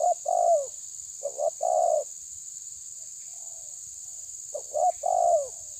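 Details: Terkukur tabir spotted dove facing a rival: three low coo phrases with a pause mid-clip. Each is a short choppy lead-in and a full descending coo, over constant hiss.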